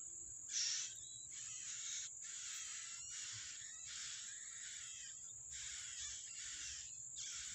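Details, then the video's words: Feeding of young by a wild yellow-bellied prinia: dense, raspy, buzzing bursts following one another almost without pause, set over an unbroken high-pitched hiss. "Burung ciblek rawa meloloh anakan nya di alam- Bird yellow-bellied prinia"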